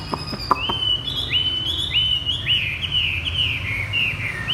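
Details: Caged Chinese hwamei singing in the 'thắt cổ chai' (bottleneck) style: a run of loud, clear whistled notes, each sliding up and then bending down, repeated in quick succession with a few sharp clicks at the start.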